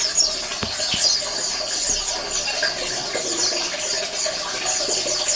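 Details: Many Oriental white-eyes chattering together as a colony, meant to trigger quiet males to sing; thin high twitters run throughout, with a few sharp clicks and a persistent low droning hum behind.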